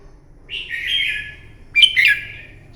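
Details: Red-whiskered bulbul singing its fighting song in the morning, for bird training: a drawn-out buzzy whistled note, then a louder, quick warbled phrase sliding downward, over a faint low hum.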